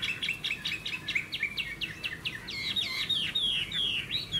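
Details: ['Caged Hwamei, golden with a broad spread tail, in a singing contest; quick repeated sharp notes, roughly two per second, building into a run of looping whistled slurs.']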